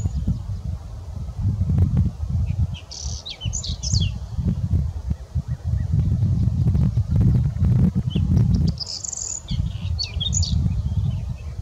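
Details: Whinchat singing two brief, high, scratchy warbled phrases about five seconds apart, set against loud, gusty low wind noise throughout.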